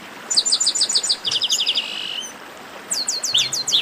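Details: Chestnut-capped blackbirds in a rowdy chorus: an even series of sharp high chips, then a fast trill ending in a buzzy drawn note, a short lull, and more sweeping whistled slurs.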